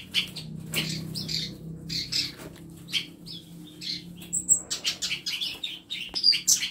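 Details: Caged songbirds in a home aviary of tutor birds chirp in loose bursts, with wing flutters, and a thin very high note, the calling growing denser toward the end.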